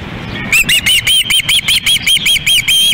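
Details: Hungry osprey chicks at a nest in Lolo, Montana, on 10 August 2016 as a fish is delivered, recorded by a nest camera: a rapid series of shrill whistled chirps, about five per second, over background hiss.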